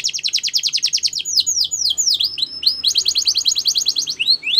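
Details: Canary delivering a training song: a quick pulsed trill, slower deep swooping whistles in the middle, then the fast trill returns and ends on rising slurs.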